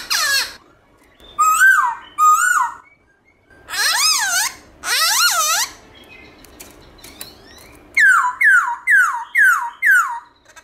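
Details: Morning forest-style song of a Black-throated laughingthrush, switching between voices. Bursts of rich, rising whistles alternate with pauses, then a steady series of five downslurred whistles about half a second apart.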